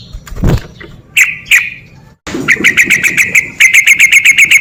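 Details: Lure song of a sooty-headed bulbul in ropel style for lazy birds: a passing vehicle rumble at the start, two ringing notes, then a long quick run of evenly repeated clear notes, about four per second.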